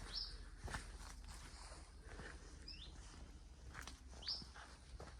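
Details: A common chiffchaff in early-leaf sycamore secondary woodland at Palham Woods, Isle of Wight Undercliff, on 16 April 2024, varies its call: three short, thin slurred 'hweet' calls a couple of seconds apart, each shaped differently, over footsteps and low rumble.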